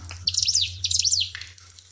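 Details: Pied fantail song: one fast run of piercing high chirps, each note sweeping up and down, lasting about a second, with a soft low hum and faint trickling water behind.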